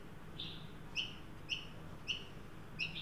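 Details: Australian magpies, an adult leading a juvenile to a new backyard birdbath in Sydney on 9 December 2023, during a 43° Celsius heat wave; thin, high squeaky notes repeat about every half second, fairly soft, over a low background hum.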